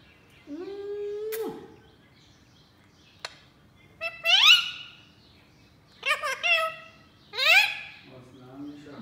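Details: Indian ringneck parakeet kept as a pet at home, addressing a newly arrived baby ringneck: a long steady tone, a sharp click, then three rising, rasping, harmonic-rich utterances and a lower closing note.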